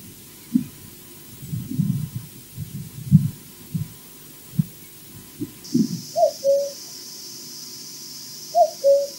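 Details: Common cuckoo calling briefly at Loch Garten, Scotland, on the osprey nest camera after a flyby: two soft, falling 'cu-coo' phrases about two seconds apart, after low thumps and rumbles, with a thin steady whine behind.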